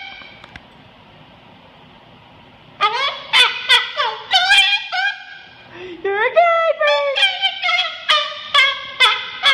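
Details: Pet bird singing and dancing indoors in an office: after nearly three seconds of quiet, a run of harmonic, warbling squawks and chirps begins, rising and falling, repeated rapidly to the end, with a person talking to the bird beforehand.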